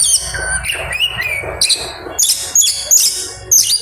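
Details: Oriental magpie-robin giving an aggressive song with mimicry, a few clear whistled slurs early, then sharp clustered chirp bursts repeated roughly every half second.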